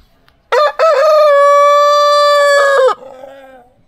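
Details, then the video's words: Brahma rooster crowing: one long loud crow with a short opening note, then a steady sustained tone held about two seconds before dropping away, ending in a fainter lower tail. "brahma horozu ötüşü brahma rooster"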